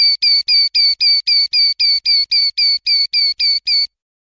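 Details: Common linnet song: thirteen identical short, bright, twangy notes repeated very regularly, nearly four per second, on a clean quiet background.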